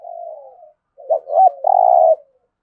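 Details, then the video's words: Spotted dove coo in THỔ voice for stirring captive birds: a soft falling coo, pause, then two short looping notes and a long steady buzzy coo. "Tiếng chim cu gáy thúc gù + thúc đấu đủ bài giọng THỔ giúp bổi nhanh nổi"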